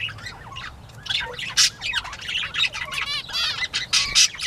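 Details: Several bobwhite quail at play on a 19 April 2017 morning give rapid, overlapping high chirps and squeaky notes, with rising, stacked calls toward the end and scattered clicks.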